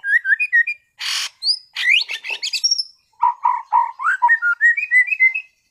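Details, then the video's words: White-rumped shama, a caged contest-class bird from Sragen, in full active song: short whistled notes, a harsh buzzy burst, rising sweeps, then lower rich warbled notes climbing into a quick whistled run. "MURAI BATU TEMBAKAN ISTIMEWAH gacor bongkar materi kelas lomba"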